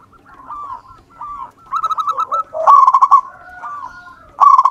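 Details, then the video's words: Wild zebra dove of local stock singing: gentle curved coos lead into a stuttering run of rapid notes, then a loud staccato burst and another starting at the end. "perkutut lokal alam. Gacor"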